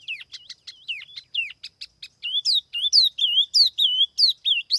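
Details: Tiểu mi laughingthrush singing as a lure bird, recorded clean without background noise: quick high whistled phrases, slurred notes rising and falling, growing louder into repeated looping whistles near the end.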